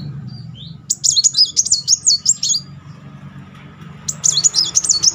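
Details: Brown-throated Sunbird rolling song for therapy of a bird that has stopped singing: a thin, very high, wavering trill of about two seconds, a pause, then another brief burst, with steady low hum beneath.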